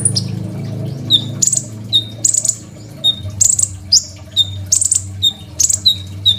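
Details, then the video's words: Crimson sunbird song used as a master for training other songbirds, recorded on an Oppo A37f phone: repeated phrases of a high buzzy burst followed by a sharp lower note, spaced about every half second, with a faint low hum behind. "KOLIBRI NINJA GACOR FULL ISIAN SUPER MEWAH, 100% COCOK BUAT MASTERAN KONIN BAHAN"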